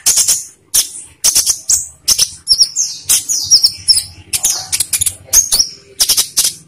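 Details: Olive-backed sunbird song used to lure captive birds into singing: a steady series of sharp, very high chirps, roughly two each second, mixed with clear, thin whistled notes.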